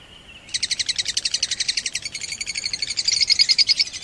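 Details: Pet blue opaline and parblue opaline lovebirds in Pakistan: after a brief soft tone, a fast run of shrill, sharp chirps repeats about three times a second, loud and steady, turning thinner and higher toward the end.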